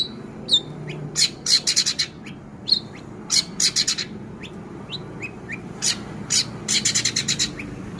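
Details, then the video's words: Four-month-old long-tailed shrike mimicking a bulbul (kapas tembak) and a canary: short sharp chirps mixed with dense rattling bursts of very high notes, in irregular clusters over steady background noise. "cendet usia 4 bulan isian kapas tembak dan kenari"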